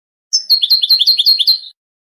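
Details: Goldfinch song: a sharp high opening note followed by a tight series of liquid, down-and-up slurred notes, bright and twittering, ending after about a second and a half.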